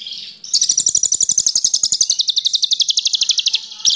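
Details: Caged Horsfield's bush lark, song used as a lure to make other birds sing: one sustained rapid trill of sharp, buzzy high pulses, about four per second, holding steady for three seconds.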